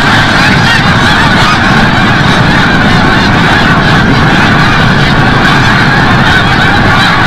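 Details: Snow geese returning at sunset from the bay, Forsythe National Wildlife Refuge, Oceanville, New Jersey, a massed clamour of honks over a low rumbling background.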